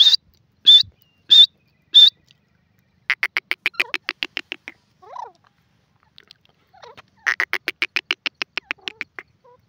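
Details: Grey francolin (Sindhi or Dakhni teetar) calling loudly and clearly: three short high whistled notes, then a run of rapid harsh rattling pulses, a quiet gap, and a second fast rattling burst.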